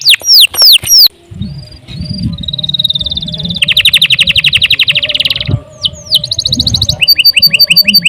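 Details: Canary singing a long, continuous song meant to tutor other birds. It opens with sharp downward sweeps, then a flat whistle and a dense rapid trill, then short notes. Low background rumble.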